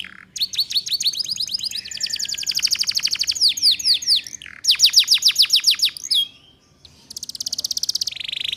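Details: Female canary singing a ngeriwik lure for young canaries. Long varied phrases of rapid trills and slurred notes run continuously, then after a short silence a fast, high-pitched rattle.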